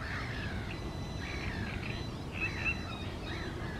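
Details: A great crested grebe at lakes on the morning of 28 May 2024 gives harsh, grating calls, a few rasping notes rising and falling over four seconds, above a steady low rumble of wind or water.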